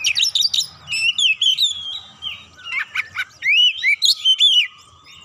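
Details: Oriental magpie-robin (kacer) song played as a lure to provoke other birds into singing. A rapid, varied run of bright whistled slurs and chirps, with rising and falling notes and short sharp bursts, delivered in quick clusters.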